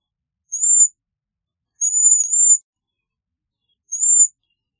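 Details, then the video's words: Bohemian waxwing uttering three separate high, thin, slightly arched whistled trills, the middle one longer, spaced about one and a half seconds apart against silence. "Bohemian Waxwing Song! Bohemian Waxwing Voice! Singing - Ampelis Europeo Canto"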